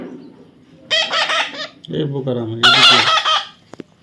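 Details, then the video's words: Tame baby parrot giving two drawn-out grating screeches with a lower, voice-like harmonic phrase between them, ending in faint clicks. "natural funny parrot sound"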